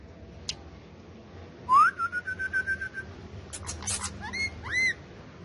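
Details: Pet male ringneck parakeet, a talking and dancing bird kept with other parrots, whistles a clear rising note that holds steady, then chatters in short buzzy pulses and ends with two arching whistled notes.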